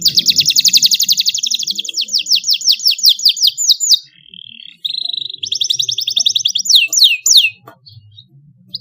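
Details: Juvenile canary learning its song from a recorded lure, responding with ngeroll rolls in the cengkok mewah style. A rapid high trill slows into separate downslurred notes, then a short steady whistle, another quick roll and sharp sweeps, over faint low background noise.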